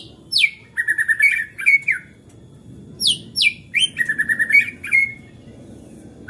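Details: White-rumped shama in agitated song that provokes rival shamas to sing: two bursts of steep downward-sweeping whistles followed by quick stuttering trills, a brief pause between them, over a steady low hum.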